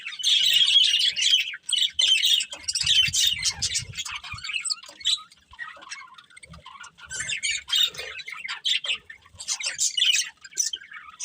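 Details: Budgerigars in a family flock kept as pets, giving rapid chattering chirps and clicks, bursts of busy warbling broken by short pauses, with faint low knocking in the background.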